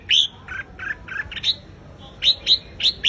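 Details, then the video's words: Red-whiskered bulbul in competitive song provoking a wild-caught bird: bright upslurred whistle, then a string of lower mellow notes, then rapid sharp rising whistles repeated about every quarter second. "Chào Mào Hót Đấu - Kích Chào Mào Bổi Ra Âm Sổ Bọng Hót Đấu Căng Lửa - Chào Mào Hót Sáng Ché Căng"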